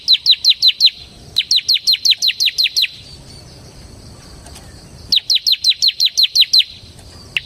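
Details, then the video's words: Semi gacor ciblek, the bar-winged prinia, recorded as lure and master song; rapid high chirps falling in pitch, delivered in bursts of about eight to ten notes, a two-second pause midway. "suara burung CIBLEK SEMI GACOR Ngebren Ampuh untuk Pancingan Ciblek Kristal dan Masteran Ciblek"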